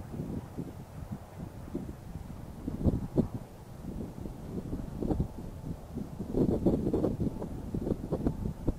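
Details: Steady low rumble of wind and distant machinery, with irregular gusts and no animal voices.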